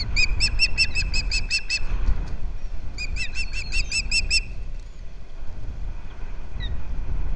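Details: Osprey calling at a rebuilt Captiva nest, February 11, 2023, as the male brings fish to the female. Two bursts of rapid, ringing high chirps separated by a short pause, over wind rumble.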